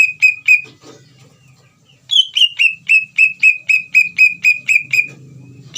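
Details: Actively singing Greater green leafbird, played to provoke another leafbird to react and reply. Two whistled downslurred notes, a quiet gap, then a rapid even series of about thirteen bright falling whistles, about four per second, over a soft low hum.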